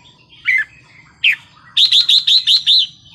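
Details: Red-whiskered bulbul giving Thai wild-style song: two separate slurred whistles, then a rapid run of seven similar rising-falling whistled notes at an even pace, with a low hum beneath.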